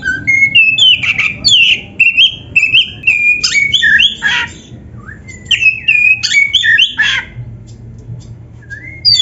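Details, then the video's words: Oriental magpie-robin (kacer) singing vigorously, a training recording for caged birds, full of varied phrases: clear whistled notes, rising and falling slurs and sharp chirps in quick bursts with short pauses, low background rumble. "SUARA MASTERAN BURUNG KACER GACOR ‼️ DENGAN FULL ISIAN MEWAH"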